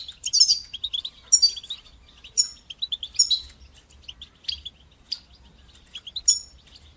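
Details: European goldfinch batbata and sastasa song used in training young birds: an ongoing thin buzzy trill punctuated roughly once a second by bright, ringing chirped notes.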